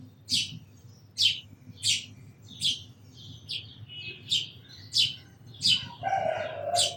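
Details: Sparrow calls as crisp, high single chirps roughly every second, about nine in all, ending with a lower, drawn-out sound in the final second.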